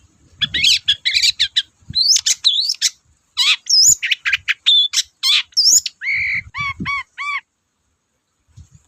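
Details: Long-tailed shrike pouring out a dense, varied song to trigger other shrikes: fast jumbled chirps and whistles, then a short series of clear repeated arched notes, then silence.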